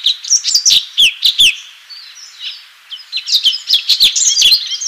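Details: Cucak cungkok, or Orange-bellied Leafbird, delivering 'full tembakan' song: two loud bursts of rapid, varied whistles, trills and slurred chirps separated by a brief softer gap.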